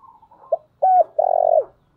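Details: Single urging coo from a decoy spotted dove meant to attract wild doves: a short pip, a flat clear note, then a long, slightly buzzy sustained coo that falls away at its end.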